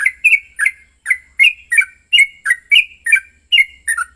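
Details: Yellow-vented bulbul (trucukan) giving an aggressive, emotional fighting song used as a lure to provoke another bird into singing; a rapid chattering run of short, bubbly, slurred notes, roughly three per second, continuing steadily over four seconds, with a faint low hum beneath.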